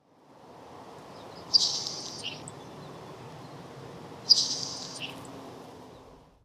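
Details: Nelson's Sparrow in Maritime Canadian wetlands, a species that often sings at night, gives two sharp, hissing, insect-like sizzles, like water on a hot pan, each ending in a short lower tick, about three seconds apart, over steady low rushing noise.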